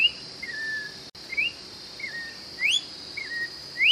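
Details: Orange-backed troupial, known in Brazil as joão-pinto or sofrê, singing clear whistled notes. A low flat whistle alternates with a sharp rising upslur, with a steady high insect-like hum behind.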